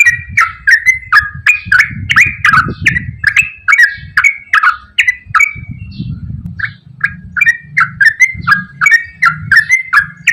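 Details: Straw-headed bulbul giving a long, rapid, unbroken song meant as a lure for birds that rarely sing. Rich whistled phrases tumble out about twice per second, with a brief lull midway and a steady low rumble underneath.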